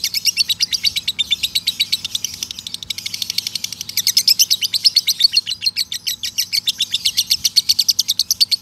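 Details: Male lovebird delivering a long ngekek song used as a training recording: a sustained rapid chattering trill of high, scratchy pulses repeated many times per second, rising and falling in loudness, lasting throughout without a break.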